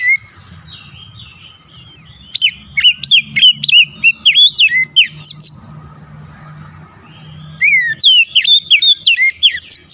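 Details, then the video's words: Lure song of an Oriental magpie-robin for getting stressed birds singing again: bursts of rapid, sharply modulated whistles and chips, a quieter stretch with low rumbling, then another quick energetic run. "KICAUAN PEMIKAT DAN PERANGSANG BUNYI | Kacer stres macet bunyi langsung gacor"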